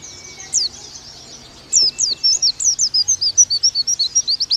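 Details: Oriental white-eye giving a 'nembak' style song. One sharp whistle is followed by silence, then an accelerating series of high, clear, swooping notes in a steady rapid rhythm.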